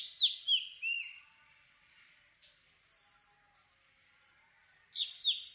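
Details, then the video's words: Black drongo repeating a rapid three-note phrase of high, sliding whistles, twice about five seconds apart, with a soft note in between. "Black Drongo Song ! Black Drongo Call ! Black Drongo Sound ! Black Drongo Vocals ! Voice ! Singing"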